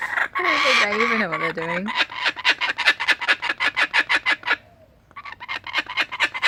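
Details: Adult Laughing Kookaburras sharing food and making lots of noise: a drawn-out wavering note gives way to harsh, rhythmic cackling pulses, about four per second, which pause briefly and then resume.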